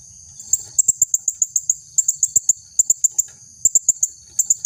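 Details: Female blue-crowned hanging parrot giving her lure call for males: rapid strings of very high, piercing, clipped notes, about four to six per second in bursts, over a continuous faint high-pitched drone.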